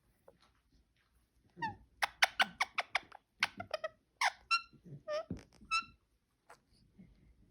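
A parakeet chatters in quick squeaky chirps and bright warbled whistles, several notes a second, in two bursts separated by a short pause.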